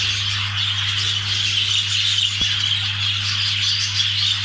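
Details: Budgerigar chatter recorded during mating, a constant high warbling and squeaky twittering that runs without a break, with a steady low hum underneath.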